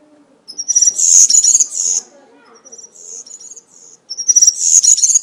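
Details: Woodland European serin giving 'campero' country-style song used to tutor young serins: two intense, high, wheezy jangling bursts separated by a quieter twittering phrase, with faint low background rumble.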